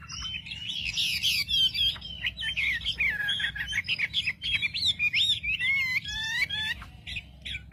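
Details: Wambi lure song meant to provoke rival wambi birds: a dense, nonstop run of varied whistles, warbles and sliding notes, some dipping low, delivered rapidly over a faint low hum.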